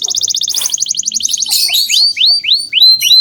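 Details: Vigorously singing canary, recorded as a lure to prompt young canaries to sing: a fast, even trill of short high notes for about a second and a half, then bright descending swoops repeated roughly every quarter second.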